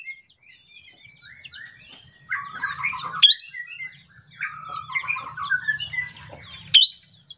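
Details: Ashy drongo in morning song, used to encourage other birds to sing: rapid mixed whistles and twittering phrases in two long runs, each punctuated by a sharp high note, over a faint low rumble.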